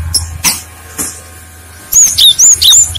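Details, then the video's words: Cinereous tit song played as a lure so other birds reply; a few faint clicks, then a rapid run of high, thin, arching whistles repeated about every quarter second over a low background hum. "Pancingan suara burung gelatik batu | gacor | gelatik lain langsung nyaut"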